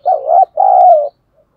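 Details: Spotted dove decoy luring wild doves to come and fight, 'thổ' voice style: one close, loud phrase of a wavering low coo and then a longer steady coo, then silence.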